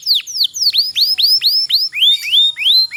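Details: Canary, kenari pocong type, delivering a long roll intended to prompt lazy canaries to sing; bright slurred whistles dipping and rising, about three per second, steady and clear.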